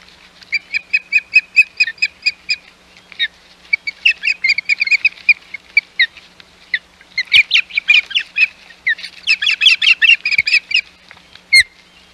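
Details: Ospreys calling at the Hog Island nest on 11 May 2021, when intruding ospreys appeared. Long bouts of quick, clipped whistled chirps are delivered in rapid runs and clusters that grow denser and more excited.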